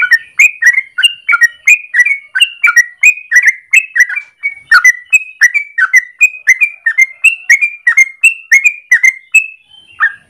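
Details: Yellow-vented bulbul singing a long unbroken morning song meant as a lure or tutor for other birds: clear, slightly buzzy whistled notes tumbling one after another at about ninety per minute.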